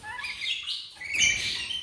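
Parakeet giving bright, scratchy chirps and warbles, high and busy, with a short pause midway before a louder chattering burst.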